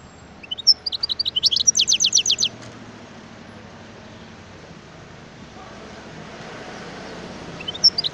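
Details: A wild European goldfinch sings one high, tinkling phrase of quick chirps running into a string of sharp downward notes. After that comes a long stretch of steady background noise, then a brief final chirp.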